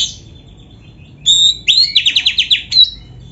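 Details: Oriental magpie-robin, known locally as kacer, imitating a canary: a clear high whistle, then a quick run of about eight sharp repeated chirping notes and a final bright whistled note.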